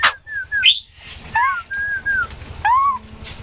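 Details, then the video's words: White-crested laughingthrush giving spaced, mellow whistled notes, some level and some arched, with a sharp squeak near the start and a low hum behind. "Khứu đầu bạc hót cực hay"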